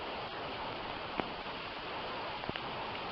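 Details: Even hiss of open-air background with two or three sharp taps, and no animal voice.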